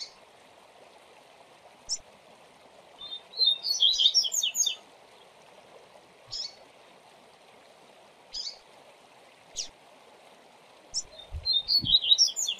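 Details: Caged double-collared seedeater, or coleiro, singing a 'viu viu zel zel' tutor song with chirps, meant for teaching young birds to sing. Short, sharp high chirps are spaced a few seconds apart, with two bursts of rapid twittering over a steady waterfall rush.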